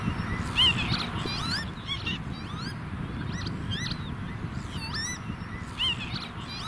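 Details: Northern lapwings with chicks, chasing off an intruding redshank in a meadow-bird area, give wheezy, slurred rising-and-falling calls in quick overlapping bursts over a steady low rumble of wind.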